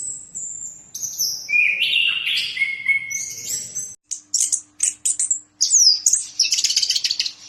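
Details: Orange-headed thrush (anis kembang) singing vigorously: smooth whistled phrases at first, then a switch to rapid, scratchy, high chattering bursts separated by short silences.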